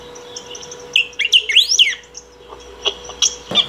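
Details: Saffron finch song played nonstop for calling or training: a fast run of five or six sliding, rising-and-falling chirps packed into about one second, followed by softer scattered notes and clicks.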